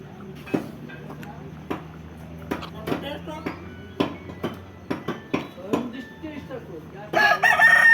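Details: Chickens giving short, sharp clucks at an irregular pace over a steady low hum, and a brief, loud, higher call near the end.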